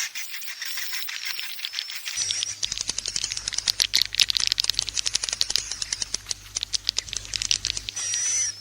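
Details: Lure recording of swiftlets for nest houses: rapid dry clicking rattles mixed with high chirps and whistled streaks, building to a continuous busy chatter over a faint low hum.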